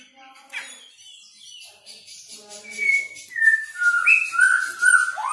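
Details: Songbird in a song-training recording: quiet scratchy notes at first, then a run of clear whistled notes stepping down and rising again, growing louder toward the end.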